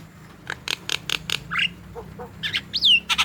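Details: Javan myna calling vigorously, used as a lure to make quiet or young mynas start singing: several harsh scratchy notes, soft low squeaks, then a sharp, high whistle sweeping downward.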